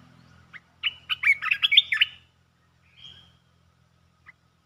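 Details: Red-whiskered bulbul pours out a quick series of bright chirping, warbled notes, followed by a softer thin whistle, with a low background hum at the start.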